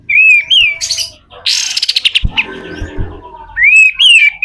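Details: Pied triller singing a harsh-style song used as training material for other birds: loud slurred whistles at start and end, with a burst of buzzy rasping notes and a rapid dry rattle in between.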